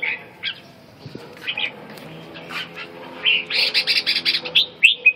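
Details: Red-whiskered bulbul: scattered whistled notes at first, then a fast, rhythmic burst of chirped syllables repeated several times a second, ending in two sharp whistles, with low background hum.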